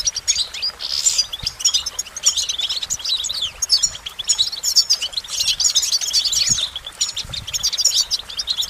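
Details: Goldfinch song of dense, high chirrups and tinkling twitters, a brief hiss near the first second, phrases flowing almost continuously with slight rises and falls in loudness.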